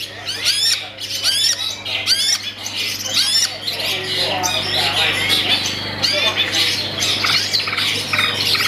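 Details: Long-tailed shrike kept in a cage, performing its song. Quick scratchy descending notes at first, then a dense, harsh, chattering stream of rasps and squeaks with barely a pause. A constant low hum sits beneath.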